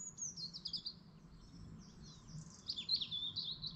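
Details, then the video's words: Morning chorus at dawn by a Lake District lake: high twittering song phrases open and close the stretch, quick chirps and trills overlapping, with a steady low murmur of ambient noise beneath. "morning chorus bird sound at dawn"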